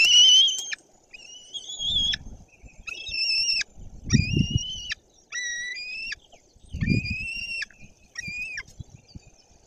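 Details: Young white-tailed eagles at a nest in Bory Tucholskie, Poland, on 14 June 2022, as the male brings a fish; one takes it with a special call: repeated high, reedy, whistled yelps with a slight drop, amid rustling and thumps.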